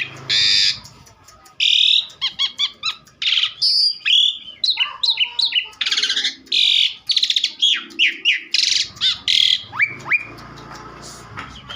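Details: Asian pied starling singing energetically, a rapid medley of harsh buzzy blocks, short clicks and sharp whistled notes with a few upslurs near the end, delivered almost without breaks.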